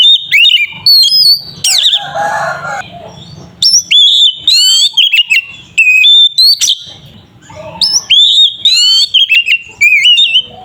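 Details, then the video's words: Oriental magpie-robin (kacer) in ngeplong fighting-style song, described as effective for stirring other kacer into singing. Varied loud whistled phrases with quick upward and downward slides come in bursts separated by short pauses, with occasional harsher rasping notes. "Pancingan suara burung Kacer ngeplong sangat ampuh untuk pancingan Kacer bahan"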